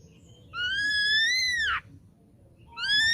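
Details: Young wild-caught ashy drongo singing: a long, loud, clear whistle holding steady then sweeping down at its end, followed after a pause by the start of another sustained whistle; low background hum.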